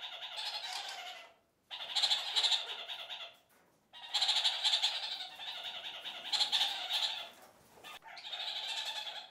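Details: Several kakariki calling together in their flock's regular daily chatter: loud bursts of squawking, cackling notes lasting one to two seconds, separated by short silent pauses.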